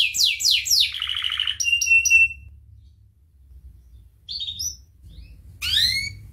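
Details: Singing canary on a training recording for teaching other birds: a few quick falling notes and a rolled trill, short repeated chips, then near silence with scattered soft notes and a final sweeping burst.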